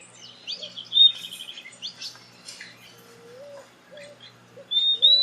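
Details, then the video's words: Purple-throated Euphonia song: a quick run of bright clipped notes on one high pitch, then thin clear whistles near the end, with a soft lower whistled tone in the background. "CANTO HIPNOTIZANTE do FIM FIM"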